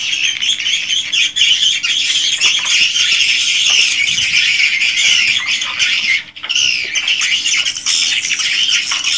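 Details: Swiftlet house chorus, original recording: continuous shrill, buzzy chatter from many swiftlets, with one brief near-silent dip partway through before the twittering resumes.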